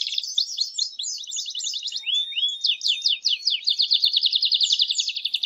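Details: Male canary singing very strongly in excitement to encourage mating, with clean rapid trills, a couple of rising slurred whistles midway, and a pulsing chopped trill repeated quickly to the end.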